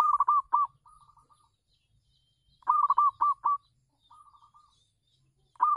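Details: Zebra dove, a local perkutut, singing on a home terrace as a decoy for wild doves; quick clipped cooing phrases of four to five notes, each followed by a softer rolling trill, repeating roughly every three seconds.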